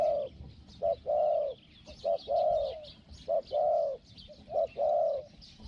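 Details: Spotted dove kept as a decoy for luring wild doves, with a small 'hong-hong' voice. Deep, smooth coo phrases come in regular pairs of short then long notes, roughly every 1.2 seconds, against quiet rural ambience.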